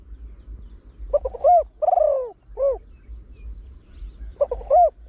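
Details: Deep-voiced trained Spotted Dove singing the rapid 'khan thi' style used to bring in wild birds. It gives quick broken hoots, then a drawn-out descending coo and a short final note. It starts the next phrase near the end, with soft high ticks behind.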